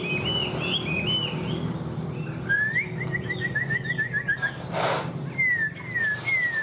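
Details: Captive, tame Chinese hwamei giving a series of quick descending whistles repeated about five times a second, then longer clear slurred whistles, with clattering knocks in between and a low background hum.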